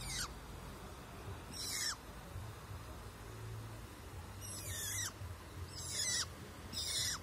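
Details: Long-tailed shrike in the wild: harsh, rasping bursts, each ending in a downward slur, given about five times at uneven intervals over a background hiss.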